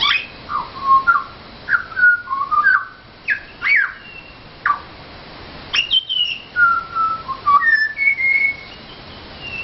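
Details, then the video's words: Pied butcherbird song near Mt Gravatt as the birds come looking for food: a rich sequence of clear whistles, quick upward swoops and falling slurs, in short phrases separated by brief pauses. "Pied Butcherbirds singing for food"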